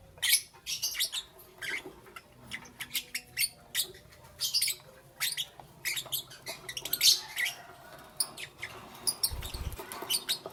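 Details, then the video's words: Lovebirds chirping in the morning, sharp high chirps and short squeaky notes spaced irregularly about every half second, with a soft low thump near the end. "Lovebirds Chirping Sounds"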